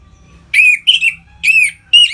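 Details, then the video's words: Orange-headed thrush singing in the ngeplong style for stimulating captive birds: four loud, clear, arched whistled notes in quick succession, with a faint hum beneath. "Suara Ngeplong ANIS MERAH Gacor Memancing Burung Agar Birahi dan Lanjut ke Tahap Teler"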